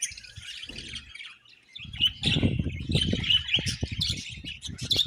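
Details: Budgerigars chatter with high squeaky chirps and warbled whistles, steady throughout, over a run of low rumbling and thudding noise in the second half.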